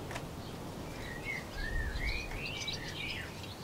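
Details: European robin feeding on a branch, recorded 26 February 2020, giving a faint, thin warbling phrase of high sliding whistles over low background rumble.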